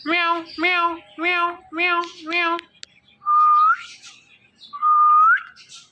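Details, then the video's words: Sweet hand-tame talking parrot speaking and dancing: five evenly spaced, voice-like harmonic syllables about half a second apart, then two long whistles, each swooping gently down and up. "My So Sweet Parrot Speaking and Dancing Joyfully"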